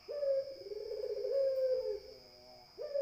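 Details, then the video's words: Barbary dove giving one long, rolling coo lasting almost two seconds, a sharp opening note then a steady purring tone, before the next coo starts; a faint high whine persists. "SUARA PUTER"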